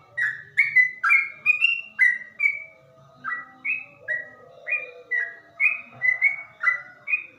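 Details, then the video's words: Yellow-vented bulbul (trucukan) singing in a slow, deep-toned ropel style: a steady run of short, liquid chirping notes, each slurring downward, about two per second, with a soft low warble underneath. "suara trucuk ropel dengan nada lamabat dan ngebas"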